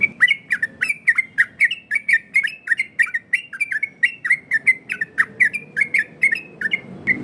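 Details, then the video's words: Yellow-vented bulbul, 'ropel' variation song for luring and tutoring other birds. Unbroken series of plump, looping whistles, evenly paced at roughly three notes a second, each with a sharp click on top. "Burung trucukan Ropel variasi!!! Dijamin nyaut trucukan dirumah!!!"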